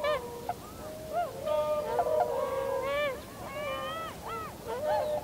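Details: Winter flock of Tundra swans on 7 February 2015, with many overlapping bugling calls, some long and level, others short and arched, forming a busy chorus.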